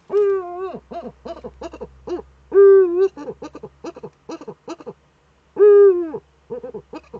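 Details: Eurasian eagle-owl female at a webcam-monitored nest niche in northern Rhineland-Palatinate, Germany, 5 May 2013, while scratching in the nest. Three sustained harmonic wails, about three seconds apart, are interleaved with quick bursts of short clipped notes.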